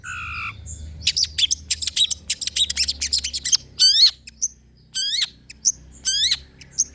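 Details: Long-tailed shrike, used to prompt and train shrikes to sing: a fast string of scratchy chattering notes, then three loud, sweeping, downslurred calls with several harmonic bands spaced about a second apart.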